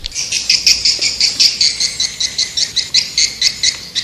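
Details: High swiftlet calls in a steady pulsed rattle, buzzy notes repeated about four times a second without pause, producing an even insect-like trill.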